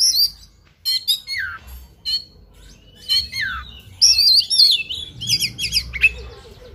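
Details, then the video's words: An oriental magpie-robin in fighting mood sings sharp chirps, falling slurred whistles and a long wavering high whistled run, ending in rapid clipped notes, over a soft low rumble. "KACER TARUNG NGOBRA FULL ISIAN"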